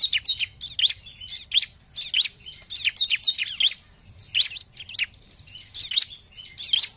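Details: Lure recording of bar-winged prinia singing gacor style: bursts of piercing, high chipping notes in short clusters, with brief pauses between phrases and a faint low background rumble.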